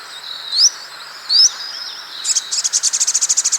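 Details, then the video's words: Sogok ontong bird song: two sharp upward-sweeping whistles, then a rapid series of about fifteen high, evenly spaced clipped notes. "SUARA BURUNG SOGOK ONTONG"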